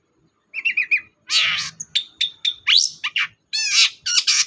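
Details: Long-tailed shrike lure song for a bird that will not sing, a varied phrase of trilled chirps, a harsh buzzy burst, thin whistled notes and rattling squawks packed into a few seconds.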